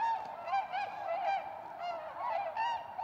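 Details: Tundra swans back at Goose Pond, Columbia County, south-central Wisconsin, USA, in spring, March 2016: a large flock giving overlapping high, hooting honks with rising and falling notes, a dense continuous chorus.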